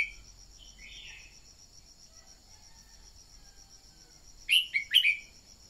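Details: Red-whiskered bulbul used as a lure to spur newly caught birds into song: soft warbled notes at first, then a loud chirpy three-note phrase near the end, with a continuous high insect buzz behind.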